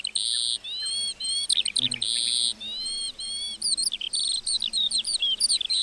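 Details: Meadow lark song, opening with steady buzzing high trills held for about half a second each, then breaking into quick varied chirps and slurred whistles.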